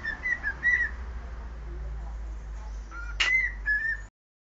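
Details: Short run of whistled notes from a cockatiel performing the Sport club anthem, broken by a sharp click midway, then two more sliding whistles before the sound cuts off; a strong low hum throughout.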